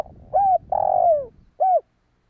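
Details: Spotted dove calls meant for luring wild doves: an arched coo, a long drawn-out downward-sliding coo, then a final short arched coo, with faint low rumbling noise beneath.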